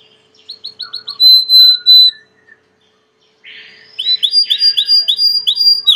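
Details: Belgian canary, a domestic canary, singing: a run of rapid rising whistled notes, a sustained clear whistle, and a low buzzy note, then a short pause before another fast series of repeated sweeping chirps.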